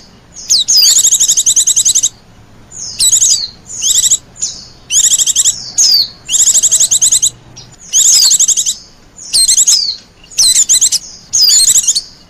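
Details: Lure call of the Oriental white-eye for drawing in wild birds, with long runs of fast, high, rattling trills alternating with sharp descending whistles, repeated roughly every second.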